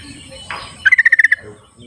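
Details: Sooty-headed bulbul in the wild gives one rapid, evenly spaced run of about eight bright bubbly notes lasting half a second, preceded by a soft rushing sound, in a quiet natural setting.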